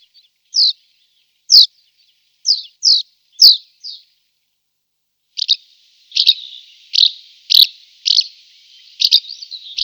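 Barn Swallow twittering: first a run of separate high chirps, then a faster, denser stretch of bright chirps mixed with buzzy notes.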